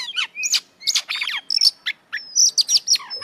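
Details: Oriental magpie-robin in busy, fully filled song meant to raise another kacer's mood: short bursts of sweeping whistles and rattly chirps separated by brief gaps, ending in a long thin high whistle.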